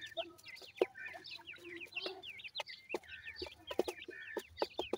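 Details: A brood of grey francolin chicks calling: clear, high peeps that swoop up and down, several overlapping, with regular sharp clicks and knocks between them.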